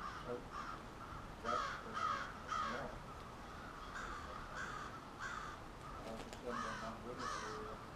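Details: Crows at their nightly roost gathering in suburban Halifax, Nova Scotia, give loud hoarse caws in quick bursts of two or three, with many more birds calling behind them.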